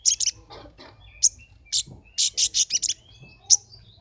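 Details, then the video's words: Brown-throated sunbird named Kumbang, a contest songbird from Temanggung in a June 2020 online competition, sings a rapid run of high, sharp chips and short trills in quick bursts, with a faint low hum behind. "Konin Gacor"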